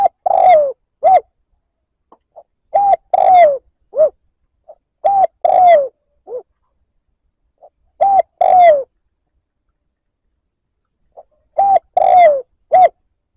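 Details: Spotted dove lure call used to provoke a rival, a looped recording; clear low cooing phrases of two to four notes with a drawn-out falling middle coo, groups repeated every two to four seconds with silent gaps.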